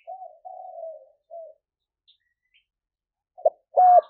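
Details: Spotted dove cooing, played to lure wild doves: a soft low coo, then a longer drawn-out falling coo and a short coo, followed after a pause by brief louder notes near the end.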